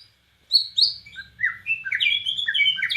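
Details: White-rumped shama from Borneo in rich cililin-style song: a tumbling series of varied whistled slurs, rising and falling, speeding into a dense, continuous, melodious chatter.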